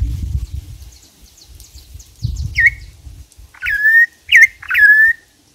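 Campo troupial gives four loud, clear whistled notes, each sliding down then holding level, spaced about half a second apart. Low rumbling background noise comes first.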